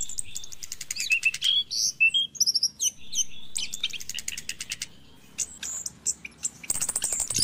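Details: Morning song of an orange-headed thrush, used to stimulate reluctant caged birds. Fast chattering rattles alternate with brief whistled slurs and high chips, ending in a loud, dense, scratchy trill.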